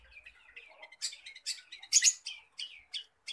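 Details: Long-tailed shrike (cendet or pentet), a skilled mimic of other birds' voices, kept to tutor other songbirds; varied high chirps and whistled notes broken by loud, harsh, broadband bursts and quick repeated notes.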